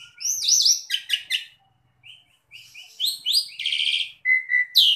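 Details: Asian pied starling (jalak suren) training song meant to make a captive bird sing vigorously: a varied mix of whistled rising notes, wavy glides, harsh buzzy bursts and a steady high whistle, with short pauses between phrases.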